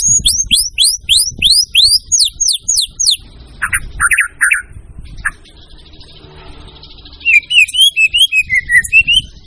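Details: White-rumped shama sings a fast series of about a dozen clear rising whistles, then a few harsh lower notes, a quiet gap, and a run of looping mid-pitched whistles; steady low background rumble.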